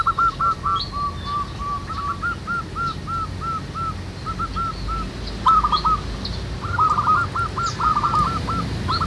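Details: Local zebra doves singing together in the wild, a busy chorus of short, hooked, rolling coo notes repeated rapidly at mid pitch and overlapping from several birds, over a steady hiss of background noise.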